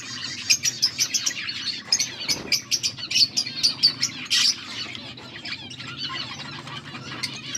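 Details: Budgies, August 14, 2024: rapid run of sharp high chirps repeated about every third of a second, one louder burst midway, then fading warbled chatter with a steady low hum beneath.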